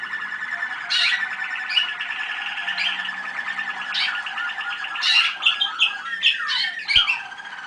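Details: Young 2010 Waterslager (Malinois) canaries singing at a listening session held 25 November 2010: long warbling rolls punctuated by sudden bright bursts, building into faster choppy notes and two quick descending glides near the end, one sharp click.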